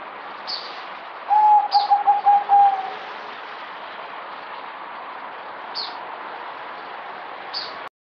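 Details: Zebra dove, locally merbok, recorded 08052020, sings one clear phrase of about six quick, evenly spaced soft coos on a level low pitch. Faint high chirps from other birds sound before and after over steady hiss.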